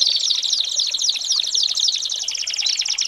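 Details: American Singer canary tutor song for training young birds, a short stretch of dense, bubbling, water-like trilling delivered without pause.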